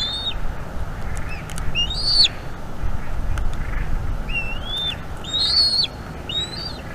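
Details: Bald eagle chick begging while fed by its mother on a North East Florida nest, evening, 5 May 2021; bursts of shrill upslurred whistles in two groups, some rough and harsh, with a gap of low rumble between.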